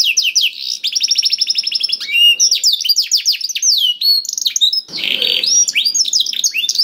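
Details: Canary song to make a silent canary start singing: fast rolling trills and downslurred whistled notes, a scratchy harsh burst later on, then quick varied chirps.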